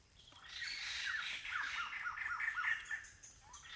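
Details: A migrant Blyth's paradise flycatcher in semi-evergreen forest near Kulen National Park, Cambodia, gives a rising then fading series of harsh, buzzy squawking notes, rapidly repeated.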